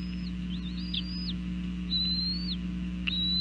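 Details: Bald eagle at a northeast Florida nest at breakfast time, 8:20 am on 5 January 2014, nest camera recording; high, thin, wavering whistles in short chattering runs, with a constant low mechanical hum beneath.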